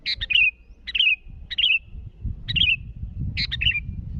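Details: Sooty-headed bulbul calling rivals with five rapid chattering phrases, each a burst of clipped notes sliding into a short falling twitter, about every half to one second, over steady low rumble.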